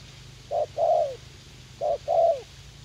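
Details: Young spotted dove kept as a trapping decoy and eager to fight, in a garden at U Minh; two deep coo phrases, each a short note then a longer falling one, over quiet background hum.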